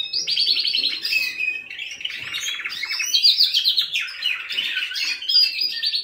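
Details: A canary delivers a fast, varied song of buzzy trills, quick repeated notes and whistled glides in a small indoor space, with faint soft background noise.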